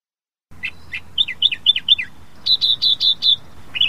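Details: Australian reed warbler, endemic to Australia and often perched in reeds, singing paired notes, then downslurred whistles, then a fast run of sharp, ringing chips over a steady background hiss.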